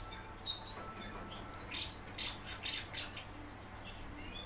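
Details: Kept common house martin singing quietly indoors: a run of dry, twittering chirps and brief chattering bursts, several notes per second in the middle, with a constant low hum beneath.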